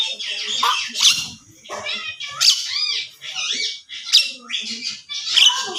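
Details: Javan myna giving a mix of harsh squawks, rising whistled slurs and chattering notes in short bursts about every second, close and dry.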